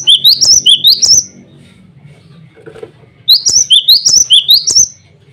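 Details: A male cinereous tit in active song calls rivals and females. A run of about seven high, chiming notes is followed by a two-second lull, then roughly eight more.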